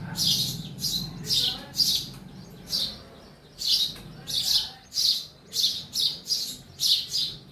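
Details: Sparrow in a house chirping repeatedly, short high notes in bursts, some paired close together, over a soft low background hum.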